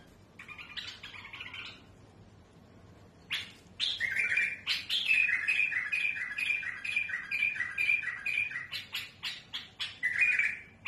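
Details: Tamed bulbul singing a smooth song with a harsh voice, used to tutor young birds: a soft chatter, a pause, then harsh broadband notes alternating with a run of bright whistled phrases repeated steadily.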